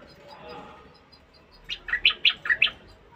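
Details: A caged bulbul sings to stimulate the female to mate, giving a quick run of six loud, bright, clipped notes in about a second, following a stretch of soft low murmuring.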